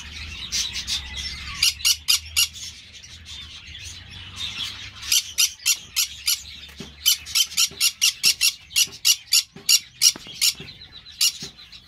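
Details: Green-cheeked parakeet (Pyrrhura molinae) giving loud, harsh, broadband squawks in rapid bursts, several per second through the second half, over a softer chattering background and low hum.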